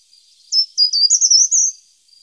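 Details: Short-toed treecreeper song, a high-pitched run of clear notes that climbs stepwise into a rapid slurred flourish lasting roughly one second, followed by a faint extra note.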